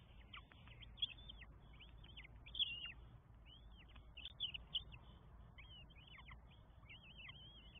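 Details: Begging from four Northern goshawk chicks being fed at their Estonian nest on 24 May 2022; repeated loud, high squeals with falling tails, in irregular runs, over low background noise.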